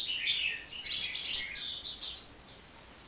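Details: Non-stop singing from a hummingbird, a quick run of shrill, squeaky chirps packed into a continuous burst, then softer trailing notes.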